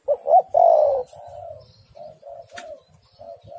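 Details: Female spotted dove calling to a male, used as a lure recording: a loud coo of two short notes and a long falling note, followed by softer, lower coos that fade away.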